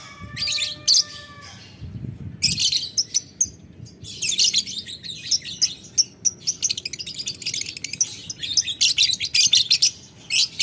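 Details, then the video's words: Lovebird calling a rival with ngekek chatter: a steady whistled tone with overtones opens, then long runs of fast, shrill, scratchy chattering follow almost without a break. "Lovebird Memanggil Lawan Ngetik Ngekek - Tidak Lama Labet Auto Nyaut Ngetik Ngekek Panjang"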